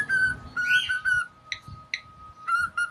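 A pet cockatiel gives a run of clear, bright whistled notes broken by short chirps, over a steady faint tone in the background.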